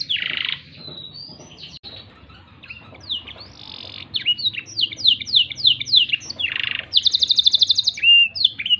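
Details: Tutor song from a black-throated canary for training canaries: an opening buzz, a quieter spell of soft notes, then loud repeated downslurred chirps, a rasp, and a rapid metallic trill.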